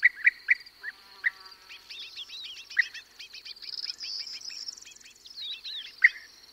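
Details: European bee-eaters, one perched and others flying, give several loud rolling calls spaced through a busy chorus of twittering lark song and corn bunting notes.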